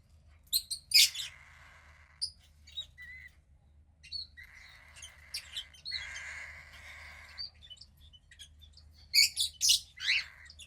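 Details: A 15-day-old female cockatiel chick, offspring of pied cockatiel parents, makes scratchy squawks mixed with longer, steady hissing rasps lasting one to two seconds. Sharp, shrill chirps open and close the sequence.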